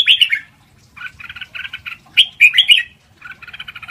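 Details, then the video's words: Lak wai style song of the Red-whiskered bulbul, played to teach young birds: a clear warbled phrase, then quick rhythmic chattering notes, a second louder burst of rich whistles, and more chatter at the end. "เสียงฝึกร้องนกกรงหัวจุก เพลงลากหวาย คึกคึก"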